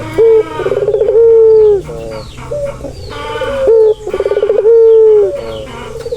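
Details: Barbary dove cooing, played as a soothing sound for stressed birds. Two repeated phrases, each a short high note, a quick rolling trill and a long smooth sustained coo, with softer murmuring between.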